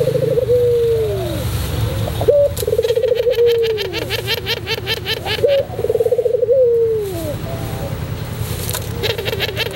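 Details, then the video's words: Singing white pelung Barbary dove on a tutor recording. Several low coos slide downward at their ends and are strung with rolling pulses. A loud rhythmic clicking or chattering sound runs through much of the middle. "masteran puter pelung putih manggung"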